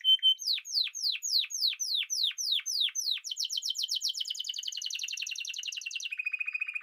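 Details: Song of a Spanish timbrado canary, opening with a short whistle, then about ten sharply falling swept notes in steady rhythm, breaking into a dense rapid trill and closing on a low, even roll.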